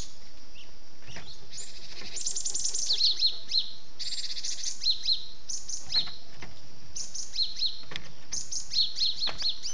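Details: Gelatik batu, a cinereous tit, in a lure recording meant to bring birds down: high bright chirps in quick clusters, with repeated short sharp notes and brief trills recurring every second or two.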